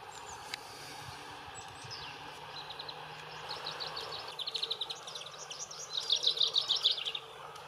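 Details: A common chaffinch on the Main riverbank near Würzburg, Germany, sings a bright, accelerating run of repeated notes building into a rattling final flourish, with faint calls from other birds and a low background hum.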